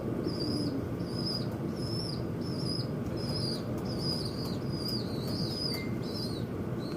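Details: Birds fighting at a window give a steady series of high, thin whistled calls, each sliding slightly downward, about two per second, with sharp clicks and tapping mixed in over a low rumbling background.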